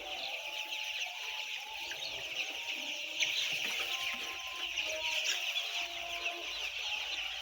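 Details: A mass of some 10000 white chicks cheeping in an unbroken high chorus, with scattered lower drawn-out calls rising above it.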